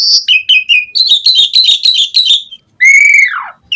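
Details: Lure song of an Asian pied starling meant to prompt replies: clear whistled notes, a fast rattling chatter, then a long whistle sliding downward.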